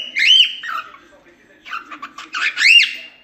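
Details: Cockatiels singing: a looping whistled squawk, a short pause, then a burst of clipped chattering notes ending in an arched, rising-falling whistle.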